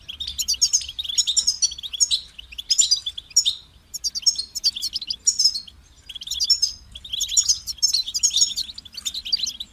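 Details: Kept European goldfinch: sparkling high twitters, liquid trills and nasal buzzes grouped into clear phrases with a beginning and end, separated by short silences, over a faint hum.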